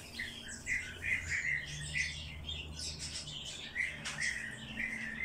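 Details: Hand-fed bird chick begging: bright, high chirps repeated in quick bursts, with a low steady hum underneath throughout.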